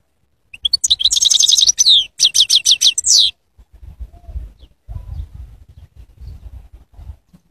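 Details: Goldfinch singing: a fast burst of bright, high twittering notes in two rapid runs over about three seconds, followed by faint low rumbling noise.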